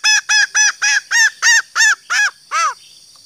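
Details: Female green junglefowl call, used to lure males: a run of nine harsh, arched, rasping notes, about three per second, slowing and lowering at the end, over a steady high-pitched hiss.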